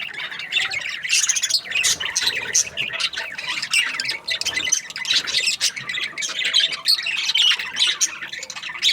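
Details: Several budgies chirping during breeding season; busy overlapping high-pitched squawks and twittering notes in quick bursts, forming an unbroken chorus.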